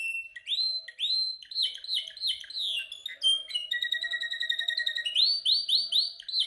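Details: Canary singing with energy during song training: repeated arched swooping whistles, a fast even rattling trill in the middle, then more looping upswept whistles repeated in quick succession, bright and continuous.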